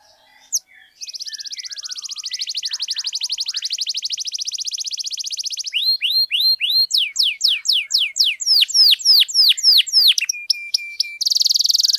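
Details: Long, vigorous canary song for coaxing silent birds to sing: a sustained fast buzzy trill for several seconds, then rising hooked notes, accelerating downslurred whistles, a thin steady tone and a bright closing roll.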